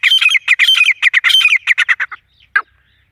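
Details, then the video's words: Grey francolin, local desi teetar, call used as a hunting lure: a fast run of harsh, squawky double notes repeated about ninety times a minute, fading out after two seconds and ending with one sharp note. "Shkar wali Awaz #Dasi gory jangle tetra ke Awaz #Dasi tetar ke voice"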